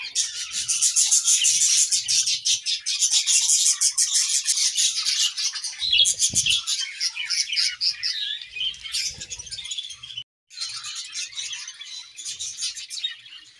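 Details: Two budgerigars in an aviary greet the morning with a long, loud chattering warble of fast repeated chirps, about three per second, scratchy and buzzy. There is a brief silent break late on before the twittering resumes more softly.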